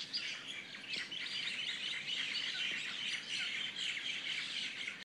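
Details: Birds singing in the morning in Kona: a constant, busy tangle of high chirps, trills and whistled notes from many singers at once, loud and unbroken across the whole stretch.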